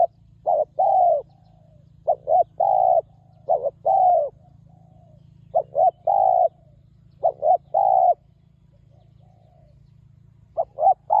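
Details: Wild spotted dove with well-phrased, very resonant calling, recorded at a ground decoy setup. Repeated series of short double coos each ending in a longer drawn coo, about six phrases with irregular gaps, against a constant low-pitched hum.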